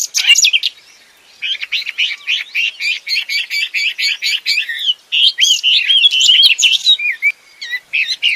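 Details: Wambi bird calling busily in the wild: a fast string of short twisting chirped notes, roughly four a second, then longer looping whistles and scattered chips.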